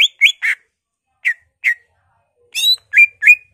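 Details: Greater green leafbird in excited song with mimicked fill-ins of other songbirds; loud clear whistled notes, several falling, spaced irregularly about three a second, ending with a rich harmonic whistle and two upswept notes.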